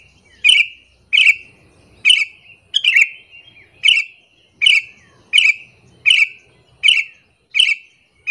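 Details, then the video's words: Sooty-headed bulbul call used to attract and anger other bulbuls: rasping, buzzy notes repeated steadily roughly every 0.7 seconds, one doubled, with soft low background noise. "suara panggilan burung kutilang alasan untuk pikat"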